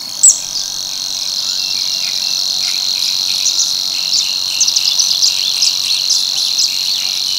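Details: Savi's warbler reeling in l'Albufera's Tancat de l'Illa: a steady, high, insect-like buzz runs throughout, overlaid by a louder chirp at the start and scattered sharp twittering notes of other birds.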